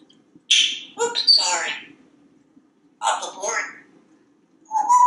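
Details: A talkative pet African Grey Parrot, a male hatched in 1997 and kept in a Texas home, perched on a kitchen faucet, speaks in short bursts of mimicked words with squeaky, bright syllables separated by pauses of silence.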